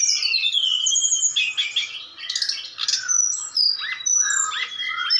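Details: Brown-chested jungle flycatcher from Bali in mental training against a mountain flycatcher recording, beginning to fight back; a rich, fast song of slurred whistles, thin descending high whistles and chattering trills, several phrases overlapping.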